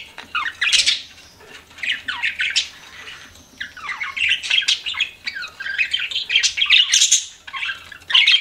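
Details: Several pet budgies chatter in rapid buzzy warbles and sharp chirps, building to a busy overlapping chorus after a quieter opening.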